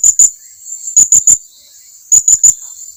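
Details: Blue-crowned hanging parrot calling companions closer, with piercing high chirps in groups of two or three separated by short silences.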